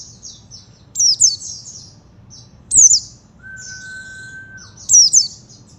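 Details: High-pitched twittering of an oriental white-eye, short sharp descending chirp phrases recurring about every two seconds, with a long flat whistled tone in between.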